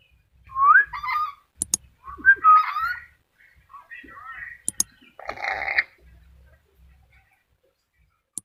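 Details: Black-capped lory giving short, twisting whistled and squawking notes in separate bursts, with sharp clicks between them and one harsher, broad screech, then a long quiet stretch.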